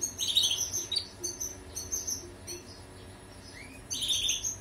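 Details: European goldfinch song, intended as training material for canaries: short bursts of bright, chattering twitter separated by a quiet gap, then a final twittering burst.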